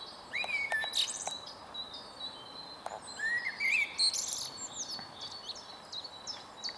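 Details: Male blackbird perched on a tall stump at Huys te Warmont Estate, 22 April 2022, giving short mellow whistled phrases separated by pauses, while thin high chirps from several other birds fill the background.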